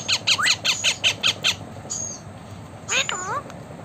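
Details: A blue talking Indian ringneck parakeet gives a quick run of eight harsh, speech-like syllables, then a thin whistle and a final scratchy, rising phrase.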